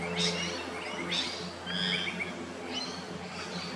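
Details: Dusky moorhen at a pond near a sports field in Bli Bli gives short, sharp, squawky notes about once a second, over a low steady hum.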